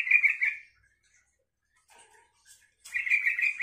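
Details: Yellow-vented bulbul song meant to make other bulbuls answer and sing along: a short bubbly, chattering burst of quick warbled notes, a pause of about two seconds, then a second similar burst.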